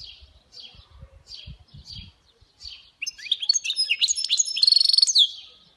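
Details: Mule of the European goldfinch delivering song: several soft, separate chirps, then a loud burst of quick twittering and ringing high trills that runs to the end.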